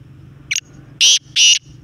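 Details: Black francolin calling: a quick series of loud, harsh, grating notes, a short burst followed by two longer rasping phrases and a final clipped start, with a steady low engine hum underneath.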